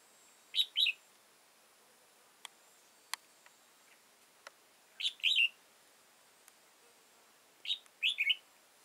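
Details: Old wild red-whiskered bulbul with a tall crest and dark bib, trapped on 15 October 2018, repeats the same crisp two-part chirping phrase three times, roughly every two to three seconds, with scattered clicks between.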